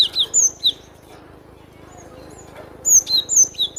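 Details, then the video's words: Cinereous tit singing high clear whistled notes that dip and fall, a short cluster at the start and another lively cluster after a quiet gap. "SUARA BURUNG GLATIK BATU PALING RENYAH"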